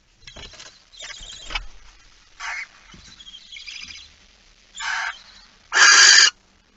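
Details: Male barn owl arriving with a mouse at night, 23:43 on 15 September 2019: harsh, hissing screech bursts that grow louder, the last and loudest lasting about half a second, with fainter rustling and scratching sounds between them.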